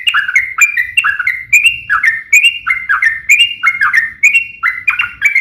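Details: Yellow-vented bulbul giving a long rolling song in fighting style, used to set other birds singing: quick bubbly phrases of liquid, slurred notes that rise and dip, repeated steadily with hardly a pause.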